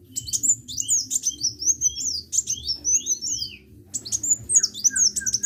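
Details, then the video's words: Lively sunbird song of very high, thin, rapidly repeated chirps and slurred whistles in dense bursts, a short gap near the middle, then more chatter ending in a few lower sliding notes. "KICAU BURUNG KOLIBRI GACOR"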